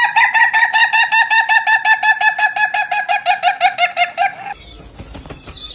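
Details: Rooster giving odd, weird-sounding calls: a fast, even run of loud nasal notes, about three each second for four seconds, then a quiet stretch with faint rustling.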